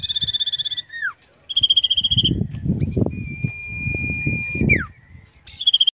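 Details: Common iora, known as cipoh, trained in a cage for song competitions: rapid buzzy trills, a long steady whistle and steep downward slurs, over loud low rumbling handling or background noise.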